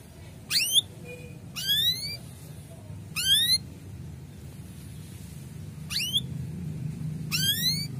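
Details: Male canary giving rapid chirps, used to raise breeding readiness in young canaries: five sharp, upward-sweeping chirps at uneven intervals over low background hiss.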